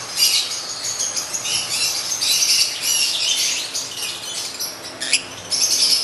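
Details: Lutino African lovebirds, male and female, kept as pets and making happy sounds: a dense, continuous chatter of high, sharp chirps and squeaks, bunched in quick bursts.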